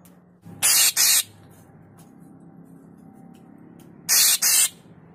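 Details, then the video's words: Murai papua (deot) in full, agitated voice, giving two pairs of loud, hissing, rasping bursts, each burst brief and the pairs about three seconds apart, over a faint low hum. "Burung deot sewotan atau murai papua gacor"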